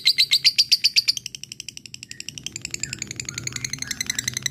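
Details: Fighter lovebird chattering 'ngekek' to call a rival: a run of loud, evenly spaced shrill chips that gives way to a softer, faster rattling stream of high notes, with faint low hum behind.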